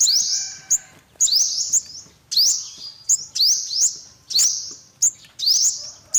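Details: Olive-backed sunbird giving sharp, high rising chips, each slurring up into a thin buzzy note, in bursts roughly every half second to one second with short quiet gaps; no other clear sounds.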